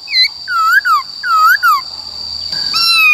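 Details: Forest-style song of a white-cheeked laughingthrush, meant for voice training of wild-caught and young birds. Two pairs of rising then falling whistled slurs, then a long descending whistle, with a constant high whine behind.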